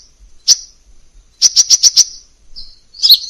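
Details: Crimson sunbird in a masteran (tutor) recording with many variations: a lone sharp, high chip, then a quick burst of five bright chips, ending in a buzzy twittering note.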